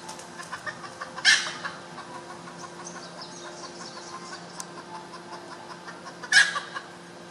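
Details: Red junglefowl hen letting out two short, harsh squawking bursts about five seconds apart, with a steady low hum and faint buzzing filling the quiet between them.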